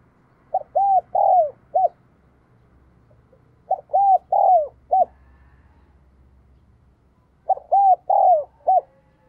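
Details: Decoy spotted dove calling to attract wild doves. Three cooing phrases about every three and a half seconds, each of several arched coos with one longer falling note, over a faint low hum.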